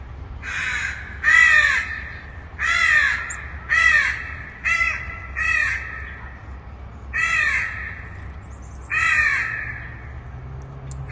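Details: Distant cawing crow: a run of nine short, harsh caws at irregular intervals, some in quick pairs, over a steady faint low hum.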